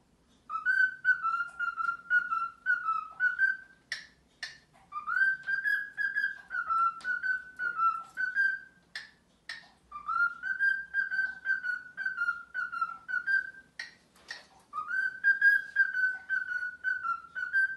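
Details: A pet male cockatiel sings wavering whistled phrases a few seconds long, broken by sharp chirps. He is courting a female who ignores him.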